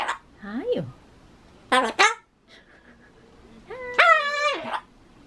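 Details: Indoors, a pet Ducorps's cockatoo babbles its repeated talk while trying to say bye-bye: three loud, nasal, voice-like calls. The first slides down, the second is a short double note, and the last is long and flat.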